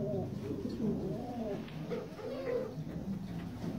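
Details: Jafari pigeon, described as the smallest pigeon type in the world: soft, low, throaty coos rolling in short repeated phrases over a quiet background hum.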